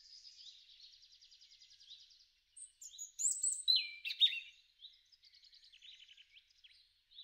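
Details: Garden robin, March–April 2013, giving a soft, even buzzy trill for two seconds, then louder high sliding whistles and squeaky twittering, ending in quieter rattled notes.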